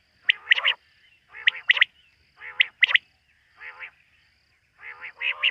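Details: Night calls of a quail: repeated clusters of harsh, nasal notes mixed with sharper clipped ones, each group about a second apart, steady and clear over a quiet background.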